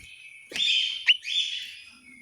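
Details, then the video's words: Orange-headed thrush in a Malang, East Java aviary giving a short, clear whistled phrase: a sustained bright note, a sharp upswept accent, then another drawn-out whistle fading away. "suara burung anis merah"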